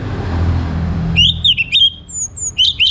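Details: An orange-headed thrush in a morning lure recording meant to get other thrushes singing gives quick, varied phrases of clear, slurred whistles with brief pauses; a low vehicle rumble fills the opening second.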